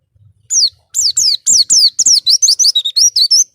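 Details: Cage-bird training recording of an Oriental white-eye singing a fast, bright sequence of high descending slurred whistles, each note falling in pitch, followed by wavering warbled notes, delivered in quick succession with short gaps.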